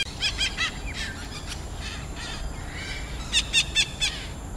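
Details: Red-breasted parakeet in Pasir Ris Greenbelt woodland, Singapore: short series of harsh, grating squawks repeated in quick runs of three or four, with steady background hum and faint other birds.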